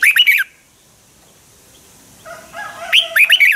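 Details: Red-whiskered bulbul singing a fighting song used to train and stimulate birds: two bursts of rich, warbled, rising-and-falling whistled phrases, one at the start and a second after a quiet pause with softer chirps.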